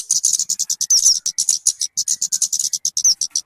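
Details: Talokan, also called kemade, calling in a form suited for luring or tutoring birds: fast, steady stream of short, high, clipped notes in even bursts, with a brief slurred whistle near the middle.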